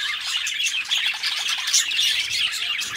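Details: Two pet budgies chatter continuously, with fast, buzzy twitters and short squeaky chirps layered together.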